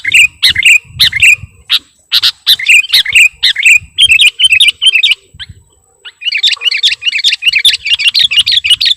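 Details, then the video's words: Vigorous sooty-headed bulbul (kutilang) song filled with imitations: steady bursts of high chirping notes about twice a second, a short silence, then a dense chattering run. "KUTILANG PIKAT || BURUNG LEGEND FULL ISIAN DAN GACOR"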